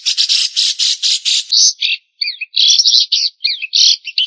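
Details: White-rumped shama giving harsh, squawking bursts: first a run of rough repeated notes, then scattered short, scratchy and twisting phrases separated by brief gaps.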